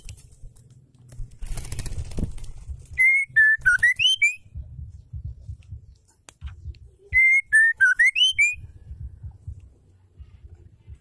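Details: Song of a female white-rumped shama, meant to provoke male shamas into singing; two matching phrases of level and rising whistles about four seconds apart, after a stretch of broadband hiss and low rumble.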